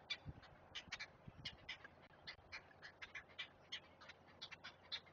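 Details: Great blue heron chicks being fed at their nest, recorded by a Chesapeake live camera: a busy stream of hard, dry clicking notes, uneven in spacing, with occasional low knocks.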